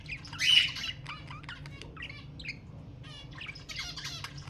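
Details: A budgerigar squawk intended to prompt mating opens loudly, then softer scratchy chirps and buzzy chatter fill the rest, with a steady low hum in the background.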